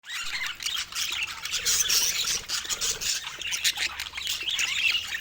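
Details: Baby budgerigar's first calls: a continuous run of harsh, high, scratchy squawks and chatter with no pauses.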